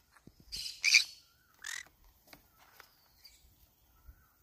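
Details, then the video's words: A green-cheeked conure trying to eat banana leaves gives two harsh, buzzy squawks, then a shorter raspy one, followed by quiet scattered clicks and faint chatter. "green cheek conure cute bird sound"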